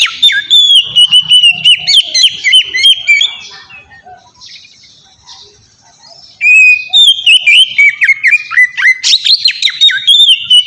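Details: Lure song of an Oriental magpie-robin, ngeplong style, for getting kept magpie-robins to sing: long fluid whistled phrase of rapid notes, a quiet gap of several seconds, then another lively varied burst.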